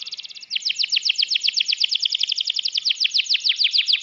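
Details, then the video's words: Caged canary singing: after a brief opening phrase, a long fast trill of identical downward-sweeping whistled notes repeated about four times a second, clean and steady with no other sounds. "burung gacor dorrr dalam sangkar keramat"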